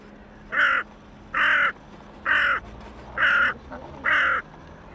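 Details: Lone hooded crow among waterbirds on the Elbe at Pirna, Germany, perhaps calling for others of its kind; five harsh, hoarse caws, roughly one every 0.9 seconds, evenly spaced.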